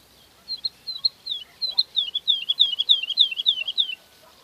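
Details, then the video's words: Woodlark singing softly while preening its feathers: a few spaced, clear whistled notes, then a quickening run of liquid, slightly descending 'lu-lu-lu' notes, in near silence. "Woodlark brushes its feathers and sings softly"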